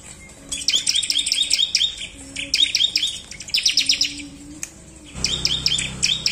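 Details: Bar-winged prinia in full song, used to provoke a reluctant bird to sing, gives short, rapid bursts of high, sharp chirping notes about a second long, over a faint low hum and rumble.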